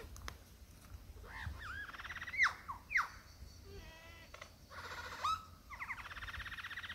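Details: Male lyrebird courting a female in the Dandenongs, cycling through imitations: looping whistles, two loud sharp downward whips, a dry mechanical rattle, then long buzzy trills.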